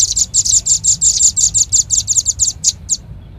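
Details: Red-billed leiothrix call played as a bird lure: a dense burst of high, bright chirps about six per second, spacing out and stopping after three seconds.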